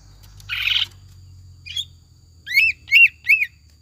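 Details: Greater green leafbird lure song for a kept leafbird: a short harsh buzz, a brief chirp, then three loud arching whistled notes about a third of a second apart over a low hum.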